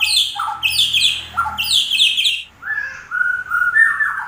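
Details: White-rumped shama (murai batu) singing. Bursts of harsh, squawky high notes alternate with lower fuller phrases, followed by a run of steady whistled notes, over a low constant hum.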